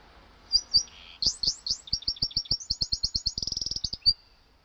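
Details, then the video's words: Caged canary and goldfinch hybrid singing: a few bright chirps, then a long series of slurred rising notes speeding into a fast even trill, ending on a single sharp note, with low clicks beneath. "canario x jilguero"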